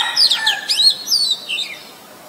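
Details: An Oriental magpie-robin, a very common resident, recorded on 23 December 2019 with a Nikon P1000 in Ubon Ratchathani, Thailand: tumbling high whistles with steep up-and-down sweeps, then a few softer falling notes that trail off.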